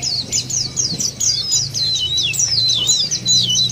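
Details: High, fast white-eye song for luring caged birds into song, a continuous string of looping, wavering whistled notes above a faint low hum.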